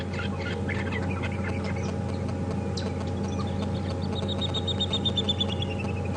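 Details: Water Thick-knee at Djuma Game Reserve, South Africa, on a morning safari drive, 30 September 2015, gives a rapid run of high, plaintive whistles slowly falling in pitch over two seconds, over engine drone and nest-building buffalo weavers' chatter.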